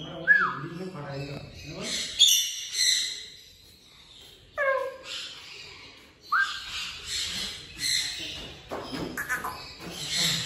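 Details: An African grey parrot talks, giving several separate speech-like utterances with bright, harmonic vowels and sharp onsets, spaced by a few seconds of near silence.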